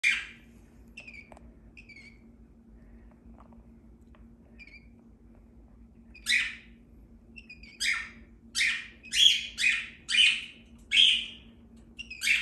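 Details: A cockatiel being stroked gives a run of harsh, scratchy squawks, quiet at first and then louder and quicker.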